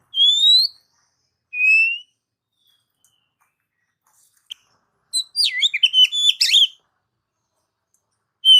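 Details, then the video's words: Oriental magpie-robin, recorded to encourage pet magpie-robins to sing: two clear rising whistles, a pause, then a burst of fast, looping, warbled notes with sharp clicks, before one more whistle. "Mp3 burung kacer masteran gacor"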